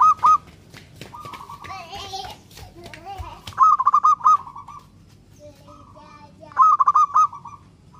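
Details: {'caption': 'Local zebra dove singing energetically, a song said to prompt other doves to answer: three loud bursts of rapid, rolling coo notes, each of five or six beats, with fainter answering coos and some high chirps between.'}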